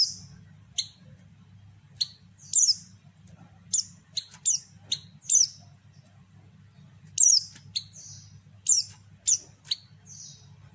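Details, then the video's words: Calling female pleci (white-eye), used to trigger males into singing: a long run of thin, high chirps and falling whistled slides, some doubled, irregularly spaced, backed by steady low hum. "panggilan pleci betina sangat ampuh buat pancingan pleci bahan"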